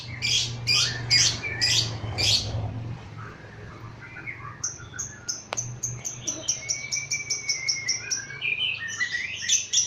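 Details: Lovebird agitated by a lure recording, giving a lively ngekek-style chatter: dense burst of high, rapid notes at first, then a fast train of short sharp ticking pips, with faint low hum beneath.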